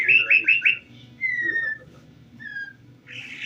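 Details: Calandra lark producing four quick, looping chirps in a row, then a softer falling whistle, a faint second whistle and a final scratchy burst, against a low background hum.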